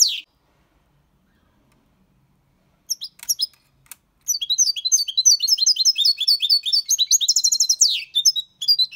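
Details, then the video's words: Six-month-old European goldfinch singing clean Malaga copy song with colios, quejas and adornos: one high note, a long quiet gap, then sustained fast twittering and a downward-sliding note near the end. "Jilguero cantando Limpio 6 meses/ chardonneret chante la copia Malaga / Goldfinch singing"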